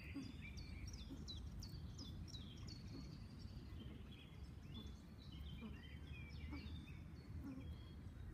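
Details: Thin, high chirps from common moorhen chicks, repeated in quick irregular bursts over constant low-pitched outdoor rumble.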